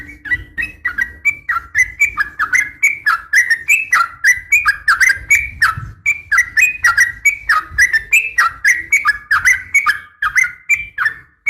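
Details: Female Sooty-headed bulbul calling a male, used to train kept bulbuls; a steady stream of bubbly whistled notes sliding up and down, about three a second, each note paired with a sharp click, with no pauses.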